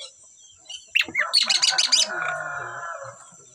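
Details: Asian pied starling of a singing pair, a brief burst of rapid harsh chattering notes after a couple of sliding whistles, fading into a lower buzzy tail; a steady faint high hiss in the background.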